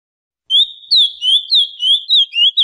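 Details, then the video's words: An ultramarine grosbeak (azulão, Cyanoloxia brissonii) sings a brisk run of clear, sliding whistles, each note dipping and rising in quick succession over about two seconds, with no other sounds. "Canto do Azulão"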